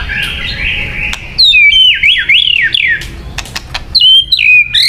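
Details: Song of a white-rumped shama, offered as a lure for trapping birds: loud, fluty whistled notes that swoop up and down in a zigzag run, with sharp clicks and a softer warbling start.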